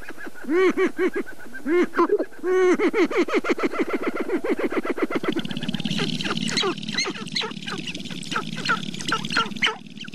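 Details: Sharp-tailed grouse at Namekagon Barrens, northern Wisconsin, in April, recorded with a Canon 5D Mark II and two Sennheiser ME67 microphones: loud arched, honking coos open the clip, then a rapid run of dense clucking and chattering notes.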